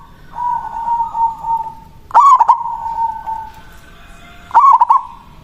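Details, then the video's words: Zebra dove (local perkutut) song used to lure a rival bird: a soft sustained tone, then two loud stuttered cooing phrases about two and a half seconds apart, each a rapid cluster of notes. "Perkutut lokal Suara Besar Ampuh memanggil lawan Bunyi manggung Langsung Nyaut"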